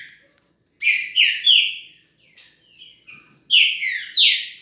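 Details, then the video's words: Green-winged saltator (trinca-ferro) singing loud, rich whistled phrases of three or four slurred notes, the later ones swelling and falling, repeated with brief pauses. "TRINCA-FERRO VELOCISTA"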